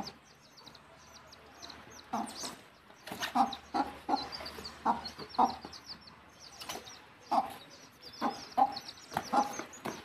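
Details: Mother hen guiding chicks back to the nest for roosting; repeated short clucks come in loose bursts every second or so over continuous high-pitched chick peeping.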